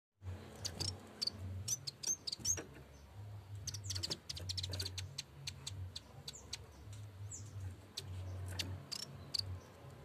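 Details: Yellow-bellied warbler in full voice, calling to its rival: short, thin, high-pitched notes scattered through the clip, mixed with sharp clicking taps over a steady low hum.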